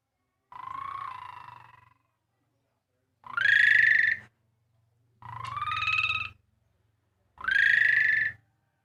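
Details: Javan pied starling mimicking a motorbike starter, giving rasping, harmonic-rich drawn-out notes that sweep upward, four phrases separated by gaps of about one to two seconds, with a low hum beneath.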